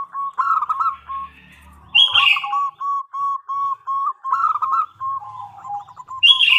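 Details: Female zebra dove calling to the male: soft, repeated staccato cooing notes in a steady rolling series, with brief higher chirps from another bird breaking in twice.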